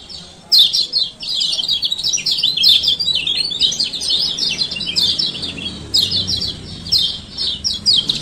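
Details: Sustained 'ciak ciak' twittering from a male kecial kuning of Lombok, meant to get lazy birds singing; continuous dense high chirps for the whole stretch.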